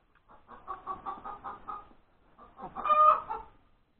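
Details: Cackle of a hen after laying an egg, breakfast time, January 31, 2021: a rapid run of about ten clucks, a brief pause, then a rising burst ending in a loud stretched squawk.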